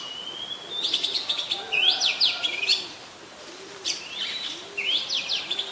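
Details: An Oriental magpie-robin, a very common resident, sings in Ubon Ratchathani, Thailand, on 17 July 2021: rich, varied whistled phrases of high slurs and quick sweeps, with a soft low coo repeating about once a second underneath.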